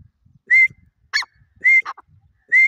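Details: Grey francolin, known locally as Irani dakhni teetar: clear, slightly rising whistles alternating with harsher, buzzy notes in quick succession over a quiet background.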